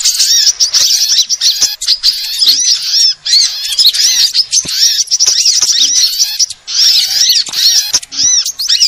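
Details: Lure recording mixing various sunbird species to draw in birds: a busy chorus of sharp, high chirps and quick up-and-down slurs, with short breaks between bursts.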